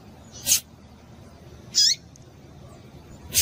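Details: Female Rusty-collared seedeater calling to warm up a male, two high thin chips about one second apart, the second dropping in pitch at its end, then another starting, over low steady hiss.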